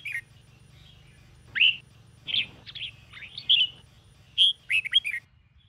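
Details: Red-whiskered bulbul, Sông Kôn song style, trained to sing in the morning: scattered short whistles and slurred chirps, separated by brief pauses, building into a quick warbled run at the end.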